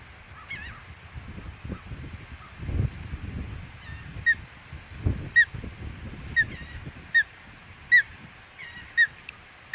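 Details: Osprey at the Hog Island nest on 25 May 2021 gives repeated short, clipped whistles, roughly one per second in the second half, over low rumbling wind noise.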